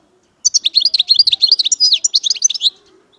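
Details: A continuous, fast jangling warble of high, tinkling notes lasting over two seconds, sung by a European goldfinch of the Algerian chardonneret major kind, against a silent background.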